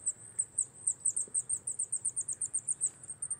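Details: Wallcreeper, a wintering bird on rock walls and in quarries in Czechia, moulting into breeding plumage, gives a rapid run of very high, thin, chipping notes, about six a second, over a faint low background hum.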